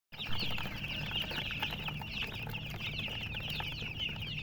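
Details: Baby chickens chirping: a continuous chorus of high, thin peeps from many chicks over a steady low rumble.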